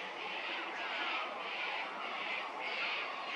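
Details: Little wattlebird at Hervey Bay, Queensland, giving harsh, raspy, grating squawks that pulse roughly once a second over a steady hiss of background noise.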